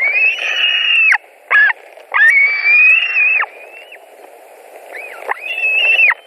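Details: White-tailed eagles at their nest in Latvia, 16 July 2020, as fish is brought in: long whistled calls broken by short ones and gaps, the last calls quieter and more spaced.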